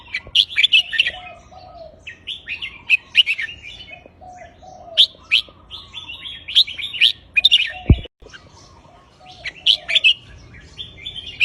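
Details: Red-whiskered bulbul singing looping counted phrases: quick, bright warbled phrases repeated every second or two, with rich slurred notes and occasional lower whistles, over a faint low hum and one brief thump.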